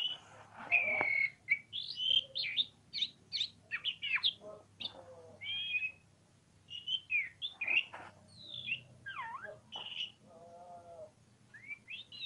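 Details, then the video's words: Oriental magpie-robin singing in the ngobra style: varied whistled phrases, sharp rising and falling notes and short chattering bursts, with brief pauses between phrases and a low steady hum beneath. "KACER POCIKU NGOBRA NGOBRA"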